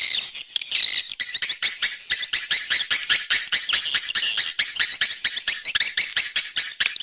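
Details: Swiftlet calling for an external sound: rapid, evenly pulsed shrill chirps form a continuous chattering rattle, with a louder twitter near the start.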